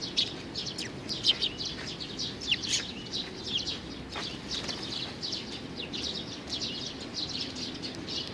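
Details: A young sparrow chirps steadily: many quick, thin, high notes in loose clusters, fairly soft, with a constant low rumble of background noise underneath.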